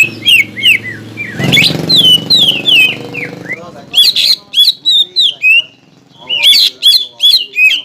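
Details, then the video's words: Caged greater green leafbird contest lure song, meant to provoke the ngentrok fighting style, with varied slurred whistles and rising and falling sweeps in quick succession, partly masked early on by a broad low rumbling noise. "PANCINGAN CUCAK IJO GACOR AGAR MAU NGENTROK DAN FIGHTER SAAT LOMBA"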